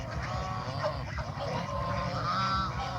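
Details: Farm geese, adults and young, eating fresh grass by a countryside pond; a steady stretch of overlapping harsh honking from several birds, with a constant low rumble underneath.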